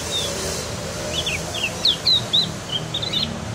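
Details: Practising Javan White-eye (cucak gentong) delivering a quick run of thin, high chirps and short slurred notes that grow louder toward the middle, set against steady low background noise.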